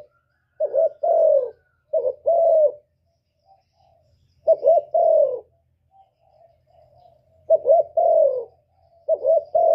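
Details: Spotted dove cooing, a recording used as a lure for trapping and to stir up kept birds; four deep, hollow coo phrases, each of three or four notes with the last drawn out and falling, separated by pauses of one to two seconds.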